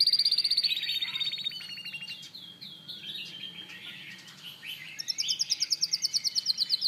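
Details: Canary singing a rapid series of bright trills, each roll of repeated notes shifting in pitch, opening loud and high, dipping softer mid-phrase, then ending with a crisp, evenly spaced high trill.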